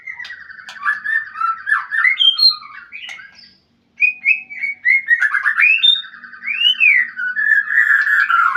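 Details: White-rumped shama calling a rival, delivering varied whistled phrases with rapid trills, upward swoops and buzzy notes, broken by a brief silence before a vigorous, continuous run of warbling and a rising-falling whistle.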